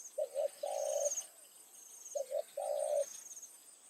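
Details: Spotted dove used as a decoy, calling in the evening to lure wild doves: two short low coos followed by a longer drawn-out coo, the phrase given twice, with a steady high insect buzz behind.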